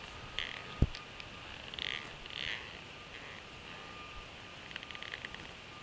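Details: At a northeast Florida nest an adult bald eagle shares a fish with two young eaglets; soft high chirps come in scattered bursts, with a sharp knock early, a faint steady tone and continuous background hiss.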